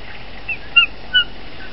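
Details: Bald eagle at the Dale Hollow nest, where the first egg has been laid and a fish is brought to the female. Three short, thin, high whistled chirps in quick succession over a faint steady hiss.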